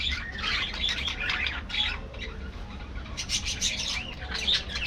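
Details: Aviary budgies chattering in quick clustered chirps and warbles, rising to louder bursts near the end.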